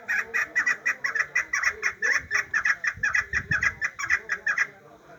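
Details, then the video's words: Chick and female chukar partridges giving loud, rhythmic clucking calls, close-set harsh notes repeating about twice a second without pause, with a brief low thump midway. "Yavru keklik sesi (meri)yavru keklik sesi dişi keklik sesi"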